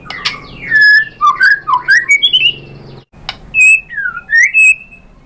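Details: White-rumped shama singing a lure song to goad a rival into song; loud descending and rising whistled slurs, a brief silence, then further clear whistles and upswept notes.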